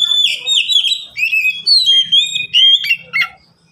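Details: Kept Oriental magpie-robin, one of three caged birds singing in reply: continuous loud phrases of clear whistles, slurred glides and abrupt chattering notes, each phrase separated by short gaps, fading out at the end.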